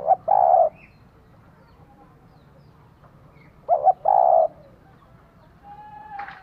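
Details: Spotted dove female stimulating a male: two short hoots and a buzzy sustained coo, repeated after about three seconds, with a thin whistle and a brief rustle near the end.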